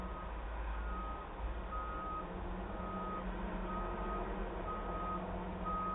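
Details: A truck's steady high reversing beeps repeat over a low engine drone in a street in Wałbrzych, Poland, on 7 December 2022; no animal is heard.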